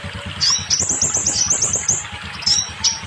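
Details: Scarlet minivet song used to get silent or molting birds singing: one quick run of high, thin, rising notes, then two separate sharp upswept notes, over a low pulsing background.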